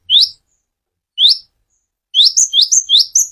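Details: Clear-voiced song of a konin: two high rising upslurred whistles about a second apart, then a quick run of rising notes mixed with sharper, higher chips; otherwise quiet.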